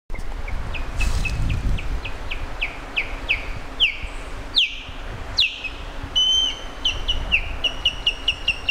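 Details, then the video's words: Osprey calling: series of short, sharp, down-slurred whistled notes repeated rapidly, some louder piercing slurred whistles between bursts, a steady faint hum underneath. "Пение скопы"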